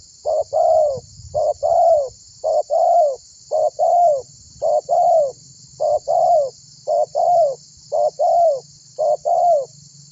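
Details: Energetic series from a tekukur, or spotted dove, calling others to sing: about ten evenly spaced paired coos, roughly one per second, each a short note and a longer falling one, over steady insect noise and low rumble.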